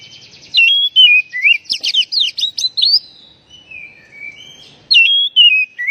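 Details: Oriental magpie-robin calling to set off stressed, silent birds: varied whistled phrases with sharp upward and downward slides, a burst of quick jumbled notes, a pause, then renewed fluty whistles.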